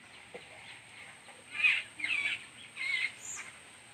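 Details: Chick begging while its mother feeds it: three short, harsh, high chattering bursts in quick succession over a faint steady background hiss.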